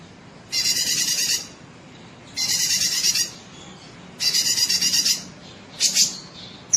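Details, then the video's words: Sooty-headed bulbul voice for tutoring contest birds: three rasping, finely pulsed buzzes of about a second each at regular two-second spacing, ending with a short sharp double note. "cucak kinoi gacor cocok buat masteran burung lomba"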